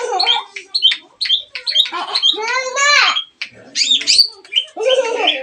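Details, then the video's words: Long-tailed shrike lure song, meant to provoke a silent shrike into singing; a rapid, varied jumble of chirps, whistles and harsh notes with frequent pitch jumps, delivered in short bursts. "pancingan pentet bisu.! pasti terangsang ikut bunyi"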